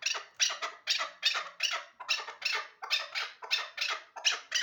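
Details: Hybrid partridges used for hunting call in a fast, steady series of loud, grating notes, close to three a second, each note rising sharply and then fading.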